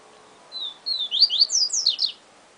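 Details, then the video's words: Yellow-bellied seedeater sings one full 'siu siu professor' phrase: two drawn-out whistles, then a fast run of rising and falling whistled slurs ending higher. "Papa Capim Siu Siu Professor"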